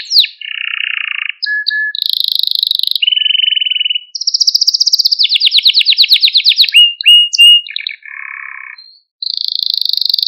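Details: Canary song used to train young canaries and stimulate them: a low buzzy rattle, a short whistle, a dense high trill, then a long fast rolling run of repeated notes followed by more buzzy tours and a closing trill.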